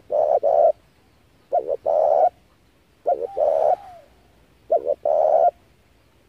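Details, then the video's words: Spotted dove calling as a lure for trapping doves: four low cooing phrases, each two quick clipped notes followed by a longer, fuller coo, with one softer drawn-out note sliding downward between them. "tiếng chim cu gáy hay kích mồi rút bổi tốc độ cực chuẩn"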